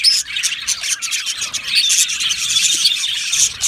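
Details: Budgerigar colony in an aviary, dense overlapping high chirps and warbles forming a continuous bright chatter with short squeaky notes throughout.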